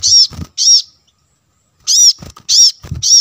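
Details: Plain-throated sunbird lure sound: loud, high rasping chips in quick pairs with a short gap, accompanied by low thumping knocks.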